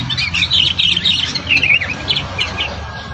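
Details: Rufous-tailed robin singing in the open, answering caged birds nearby: quick twittering, warbled high phrases in bursts over about three seconds, above a steady low background hum.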